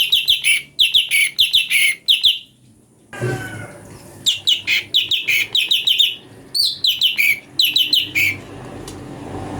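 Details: Brown-breasted bulbul song variations used as training material for magpie-robins: tight clusters of bright, rapid chirps in bursts of four to six, separated by short breaks and one noisy gap.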